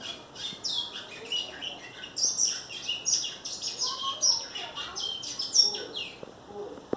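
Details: Brown great-billed seed finch, a captive-bred bird in Vila da Penha, Rio de Janeiro, Brazil, delivering a churrilhado song of fast, dense, high-pitched twitters and sharp chips that run almost without pause.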